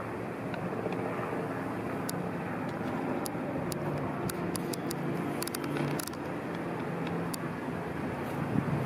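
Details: A constant roar of passing vehicles fills the scene, with a few sharp clicks and ticks and no animal voices.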